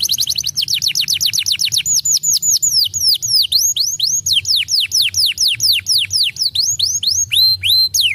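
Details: Canary lure song meant to coax a stalled bird back into full song: a fast opening burst of high downslurred notes slows into steady, evenly spaced whistled swoops, each dropping in pitch, with a soft low hum beneath.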